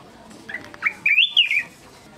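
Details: A Black-crested bulbul gives one short, liquid phrase of clear whistled notes that rise, warble high, then drop away over about a second, against a faint hiss.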